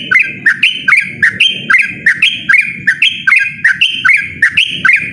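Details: Loud, persistent ropel-style singing from a yellow-vented bulbul: fast chains of gurgling notes that jump up and down, roughly three per second, over soft, low rumbling background noise.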